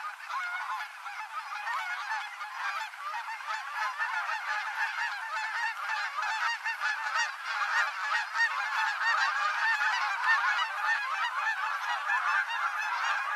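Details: Canada geese gathering at the end of the day on the Rogue River, Oregon, landing after spiralling down from cruise altitude; a dense, continuous chorus of overlapping nasal honks, about ninety-four per minute, swelling toward the end.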